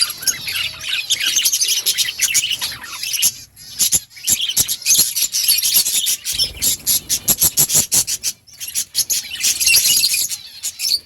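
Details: Budgerigars, also called parakeets, chirping: dense high warbling chatter broken by rapid clicking bursts, with brief quieter gaps partway through.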